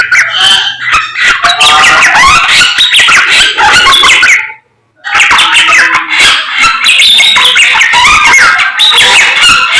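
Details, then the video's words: Samyong bird singing vigorously in the morning: dense bursts of harsh chatter and sliding whistles, broken by a brief pause midway, then resuming just as busy. "SAMNYONG GACOR Menggemaskan DI PAGI HARI"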